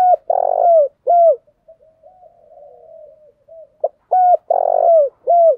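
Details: Spotted dove cooing to prompt other doves to call; loud low coos in quick groups of three with a soft wavering trail between groups, repeated about every three seconds, quiet background.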